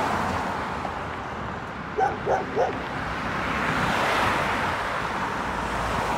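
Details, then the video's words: Crow calling in Oshawa, Ontario, Canada, on March 17, 2022: three harsh, raspy caws in quick succession, each about a third of a second apart, over a constant roar of traffic. "Crows Calling"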